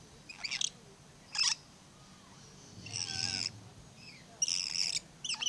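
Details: A blue-streaked lory at Lion Country Safari in Florida gives about five harsh, high screeches spaced irregularly, the middle one longer and raspier, over faint background noise.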